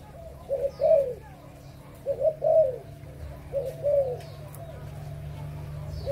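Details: Adult spotted dove of Malaysian and Thai lines, recorded 22 January 2022, cooing in three soft phrases about one and a half seconds apart, each a short note and a longer coo, over a steady low hum.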